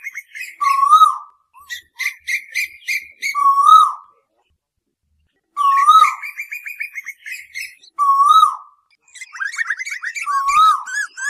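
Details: Asian koel calls from a night lure recording: low whistled notes repeated every two to three seconds, each slightly rising then dropping, alternating with bursts of rapid, higher-pitched bubbling chatter.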